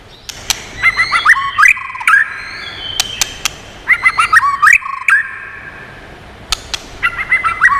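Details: White-rumped shama singing a many-voiced song used to stimulate and train birds: three bursts of warbled, rising whistled phrases, each mixed with sharp dry clicks, separated by pauses of about two seconds.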